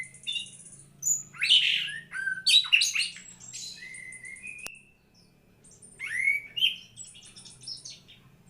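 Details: White-rumped shama song: high whistles and rapid harsh chattering phrases, a sliding whistle, a brief pause, then another burst of varied notes; faint low hum underneath.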